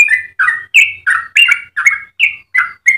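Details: Melodious 'ropel' song of a yellow-vented bulbul, recorded for training and luring other bulbuls; about ten bubbly whistled notes in three seconds, each a quick slur, alternating between higher and lower tones.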